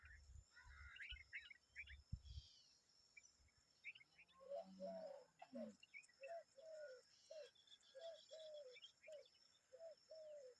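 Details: Common babbler and her young making noise: early high chirps and low rumble give way to a regular series of short, low, slurred notes repeated roughly twice a second.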